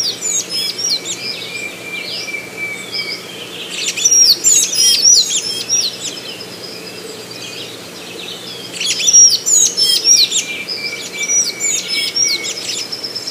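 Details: Golden-chevroned tanager, a Brazilian tanager, delivering two bursts of rapid, high, squeaky downslurred notes about five seconds apart, with a steady thin whistle and softer chirps in between.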